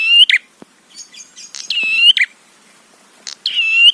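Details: Prinia call used to excite rival prinias: long, level, harmonic notes with a rough ending, three in a row, with softer chattering notes in the gap.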